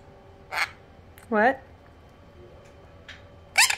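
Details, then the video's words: A female sun conure talks with her owner, saying words like 'step up', 'what' and 'peekaboo' in short, squeaky bursts. One clear word carries a stack of harmonics, followed by brief harsh syllables in a quiet room. "sun conure talking"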